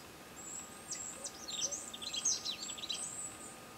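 Goldcrest singing a thin, very high-pitched run of rapid twittering notes lasting about three seconds, over a faint steady hum.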